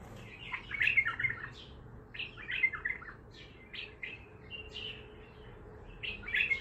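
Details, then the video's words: An untrained bulbul of the Baghdadi style sings a busy, almost continuous string of short chirpy, gurgling notes and whistles. The phrases run together with only brief pauses, over a low hum. "بلبل طور بغدادي خام"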